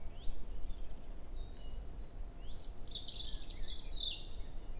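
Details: European robin song in early May at 7 a.m., woodland near Hoher Peißenberg; quiet sliding whistles open the phrase, then two loud glittering high trills close it, over a low rumbling background.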